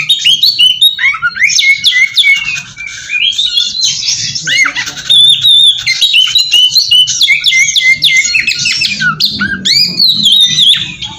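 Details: Lure song of an oriental magpie-robin for drawing wild birds to respond: a long, dense, nonstop stream of high whistles, harsh scratchy notes and quick rising slurs.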